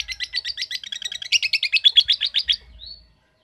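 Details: A lovebird ngekek in the ngetik style. Rapid, harsh chattering notes grow louder and more spaced over about two and a half seconds, then fade into a short, thin rising whistle.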